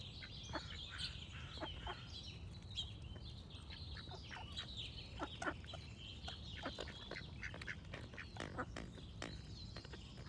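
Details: Quacking duck, its short harsh calls scattered throughout, over a busy chorus of high chirping songbirds and soft low background noise.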